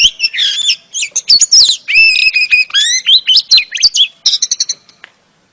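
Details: Female oriental magpie-robin calling to lure a male: a rich, fast run of clear whistled notes, slurred upward and downward, mixed with sharp chips and ending in a quick rattling burst, with no other sounds.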